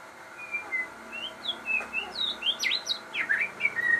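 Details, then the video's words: Crossbred murai bird singing actively: a rapid run of varied clear whistled notes, some sliding up, some dropping, jumping between high and mid pitches, with steady faint background hum. "burung murai gacor hasil kawin silang"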